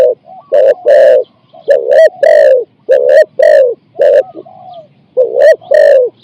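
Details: Spotted dove decoy in a trapping session, 'ang'-style song of four to five notes: repeated phrases opening with a soft low note, then two or three loud rasping coos, rising slightly.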